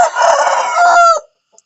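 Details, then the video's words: Rooster crowing in the morning: one loud, harsh, drawn-out cock-a-doodle-doo lasting just over a second, ending in a falling tonal note, then a faint short cluck. "the sound of a rooster in the morning"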